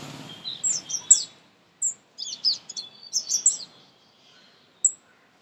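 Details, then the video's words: Sunbird in an Indian garden giving short, very high-pitched chips and twittery phrases, with brief silences between notes and one last isolated high note. "Song Of Sunbird"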